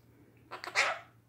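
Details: A pet female monk parakeet (Quaker parrot), singing and talking, gives a quick run of harsh, raspy, bark-like notes ending in one louder squawk.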